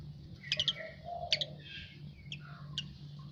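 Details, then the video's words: Asian pied starling after a bath, giving a varied sequence of sharp high chirps, short slurred whistles and soft lower notes, spaced irregularly across a few seconds. "Jalak uren habis mandi"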